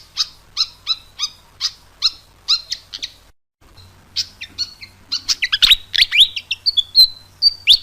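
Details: Pied fantail song meant to lure birds: a row of evenly spaced chirps, a short pause, then a lively jumble of sharp notes and sliding whistles.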